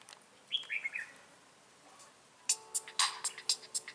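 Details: Red-whiskered bulbul used as a trapping decoy in Bình Phước, Vietnam, on 25 June 2018, gives one quick warbling phrase early on, followed by a rapid series of sharp clicks and rattling knocks.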